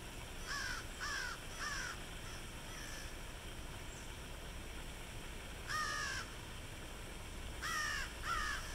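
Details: Crows call by a fountain at the University of South Carolina Beaufort, Hilton Head Island, SC: harsh nasal caws, three quick ones, a single, then two more pairs a few seconds apart, over splashing water.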